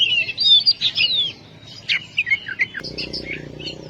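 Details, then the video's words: Oriental magpie-robin (kacer) master song for stimulating lazy birds: sweet slurred whistles, then a run of short falling chirps, followed by a high soft trill over low hum. "Masteran burung Kacer/Klacer gacor dor nembak durasi panjang"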